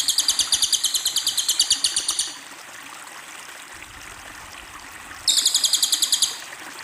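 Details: Cililin bird giving two bursts of quick, high, buzzy repeated notes, each run a couple of seconds long, separated by a quiet gap of about three seconds with only low hiss.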